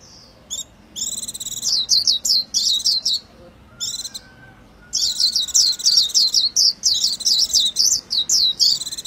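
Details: Two bouts of rapid, high, sparkling white-eye song separated by a short pause, each a dense chain of sweet warbled chirps.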